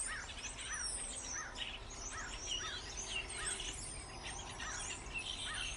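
A busy flock of starlings chatters with overlapping high whistles, clicks and squeaky chirps, and short arched notes repeat about twice a second over a low rumble.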